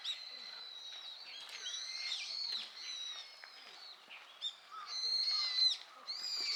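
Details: A flock of Brown-eared Bulbuls feeds on nectar in blooming Harumeki cherry trees at Minami-Ashigara City, Kanagawa Prefecture. A busy tangle of high, screechy, slurred calls overlap one another, with several loud piercing whistles rising above the chorus.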